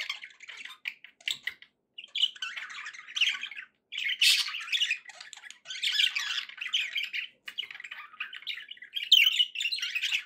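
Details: Happy pet budgerigars chattering indoors: dense bursts of scratchy warbles and squawks in short clusters, broken by brief pauses, with a few sharp high chirps.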